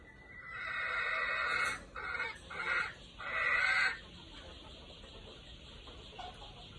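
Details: A decoy red junglefowl of the golden-plumaged type sounds more distant and softer. A banded, segmented crow broken into four bursts over about three seconds, over steady background hiss.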